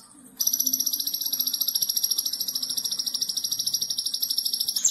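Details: Konin singing in a training recording for other songbirds, with tembakan bursts: after a brief start, one unbroken shrill trill of fast, even pulses runs for over four seconds at a steady high pitch.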